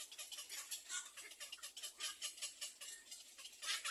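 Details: Begging Little egret chicks ask their mother for food in a nest, giving scratchy, clicking pulses repeated irregularly, roughly one burst every second and a half.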